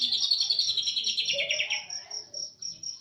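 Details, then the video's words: Greater green leafbird from East Java singing cililin-style phrases: a dense burst of high chattering notes that thins into a steady run of short, evenly repeated high chips. "Burung cucak ijo jatim tembakan cililin"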